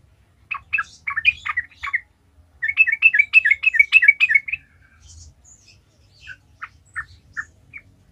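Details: Sooty-headed bulbul lure song, lively 'gacor ngalas' style to draw other trucukan into singing: a stuttering opening, a dense rapid burst of bubbling notes around the middle, then spaced single chirps tapering off.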